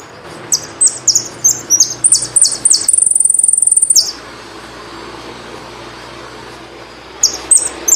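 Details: Saffron finch singing a run of high, thin, slurred notes that speeds into a rapid buzzy trill, falls silent for about three seconds, then resumes with a few more high notes.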